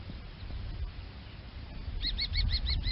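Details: Common kestrel calling a short burst of six clipped, high kee notes in quick succession, set against steady low wind rumble after a quiet stretch.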